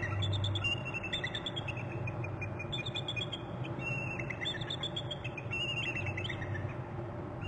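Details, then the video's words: Two eagles at the nest on March 28 trill together: a run of high, thin, descending chattering notes repeated through most of the recording, over a steady loud low rumble of wind or machinery. "both eagles trill"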